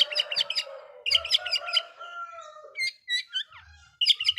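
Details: Song of an Oriental magpie-robin, meant to agitate rival magpie-robins: rapid repeated harsh, buzzy notes in clustered bursts, alternating with short whistled slurs, plus occasional low thumps in the background.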